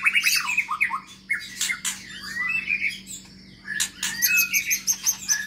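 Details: Long-tailed Medan white-rumped shama singing in an aviary, with harsh squawky notes, rapid chatter and high sharp clicks alternating with short whistled slurs.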